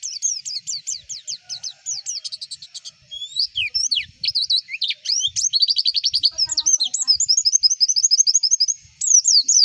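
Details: White-eye song for getting competition birds to sing: nearly ten seconds of continuous high twittering with varied slurred whistles, rapid chattering runs and repeated sharp notes, with no pauses.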